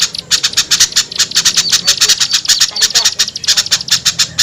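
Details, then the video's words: Fast, gritty series of high chips and squawks, steady in rhythm, used as a lure for small birds. "SUARA PIKAT AMPUH UNTUK BURUNG KECIL SUSAH TURUN"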